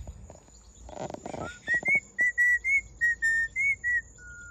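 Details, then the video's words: Pet hawk-headed parrot, hand-reared in a home, whistling in a good mood: a quick run of about nine short, clear, level whistles near one pitch, some slightly rising, after a brief burst of rustling noise. "Hawk-Headed Parrot•Always in a good mood to whistle"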